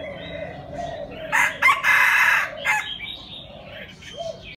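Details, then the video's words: Red junglefowl crowing: one loud, harsh, broken crow of about one and a half seconds delivered in rough bursts, with faint thin chirps of other birds before and after and a low steady background hum. "Gà rừng rặc gáy hay"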